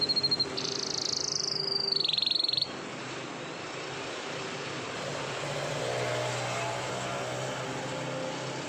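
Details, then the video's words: Canary singing in the morning, a long rolling song: about two and a half seconds of high whistled notes and a sustained trill, then only steady background noise. "BURUNG KENARI NGEROL PANJANG // DI PAGI HARI"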